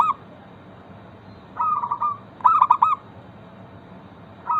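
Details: Local zebra dove song played to encourage other zebra doves to call: a soft rolling trill then a quick run of staccato coos, with fragments of further phrases at the start and end.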